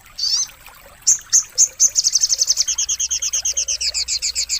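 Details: Sogon tutor song for birds that will not sing: a few high squeaky notes, then a fast, even series of sharp chirps that speeds into a steady rattling trill, about four per second.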